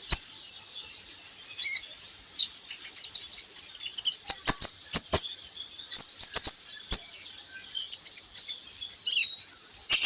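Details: Kolibri ninja song used as a lure and training recording to get birds singing: rapid high, thin twittering chirps and sweeping notes in scattered bursts, with sharp clicks in between.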